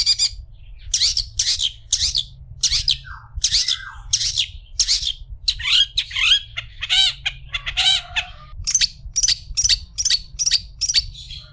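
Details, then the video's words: Long-tailed shrike used as a master recording for other shrikes, giving a long run of harsh, scratchy chattering notes roughly every half second, mixed with a few brief whistled and buzzy phrases midway. "Burung cendet istimewa cocok untuk masteran burung cendet"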